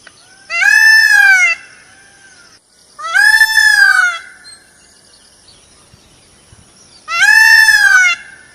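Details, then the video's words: Three loud, ringing, arched cries from an Indian peafowl, each about a second long and spaced a couple of seconds apart, with a constant faint high-pitched hiss between them. "peacock's sound"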